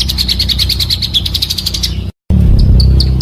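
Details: Luring recording of a pancawarna bird: a quick run of high, sharp repeated chips over a constant low hum, a brief silent cut, then scattered single high notes.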